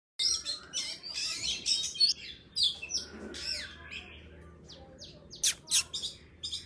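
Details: Wild forest-style song of an Oriental magpie-robin, a recording used to lure birds and to train young birds' voices: high, varied whistles and sweeping chirps in quick succession, with sharp bursts near the end.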